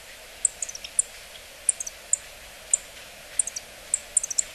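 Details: Yellow-throated bunting, Kobe Municipal Forest Botanical Garden, Japan, 27 November 2014 (calls possibly from a sound library): very high, thin ticking calls, singly or in quick pairs and triplets, over about four seconds against a soft hiss.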